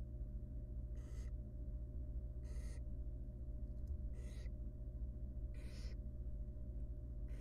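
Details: Barn owl chick in a wild, monitored nest box, fed a huge rodent by its mother; raspy hissing screeches repeated every second or so, five in all, over a low continuous hum.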